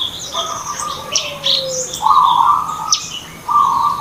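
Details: Lure recording of a sooty-headed bulbul for trapping birds: bright chirps overhead, then strong mid-pitched warbled phrases, one long and one short, with a faint low hum underneath.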